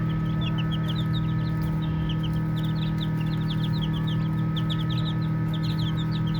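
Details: Lively baby chickens peep in fast, irregular sequences of short, high, falling chirps, about four a second, over an unbroken low droning hum.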